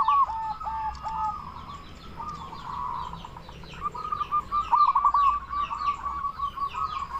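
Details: Local zebra dove used to lure and excite other zebra doves: quieter rolling coo phrases, a soft rippling trill of short notes in the second half, with high chirps from other small birds throughout.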